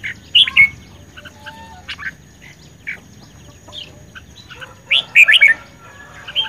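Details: Red-whiskered bulbul in spirited competition singing, May 2020, with a short bright phrase near the start and a louder, jumbled warbling burst around five seconds, soft chirps between.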